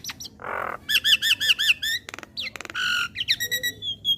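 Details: Javan myna tutor song for training young mynas, with a richly varied repertoire: harsh squawks, a fast series of bright arched whistles, buzzy rattling bursts, and high sliding notes in quick succession.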